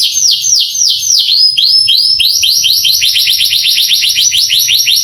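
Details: Tutor song of a male canary, meant to stir young canaries into replying: a series of high, sweeping downslurred notes that speed up into a fast, even run of chirps.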